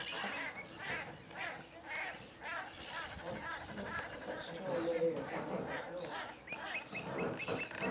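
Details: Common shelducks (Tadorna tadorna) fighting on Two Tree Island, Essex, give quick, harsh, cackling aggression calls in bursts, with a steady rush of wind and possibly distant voices behind.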